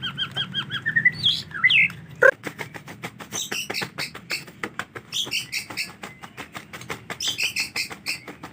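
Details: White-rumped shama in the rainy season, when bathing is difficult: short whistled two-note phrases, then a sharp downward slur, followed by rapid dry clicking ticks mixed with bursts of high, chattering warbled notes.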